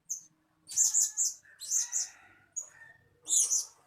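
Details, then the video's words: Blue-crowned hanging parrot recorded as a decoy lure to draw in birds, giving high, sharp squeaky chirps in clustered bursts of two or three notes, with short pauses between groups and a faint lower background murmur. "Suara-Suara Denak Pemikat Burung Serindit Dada Merah"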